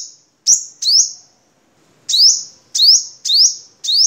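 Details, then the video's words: Crimson sunbird from Vietnam, used as a training song for cage birds: two quick shrill rising chirps, a pause of about a second, then five more spaced roughly half a second apart. "Suara Kolibri Sogok Ontong Vietnam Untuk Masteran"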